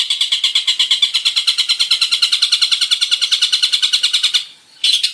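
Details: Long-tailed shrike, a male in full, varied song played to prompt other birds to sing, gives a long run of rapid scratchy repeated notes, then a short pause and one more burst.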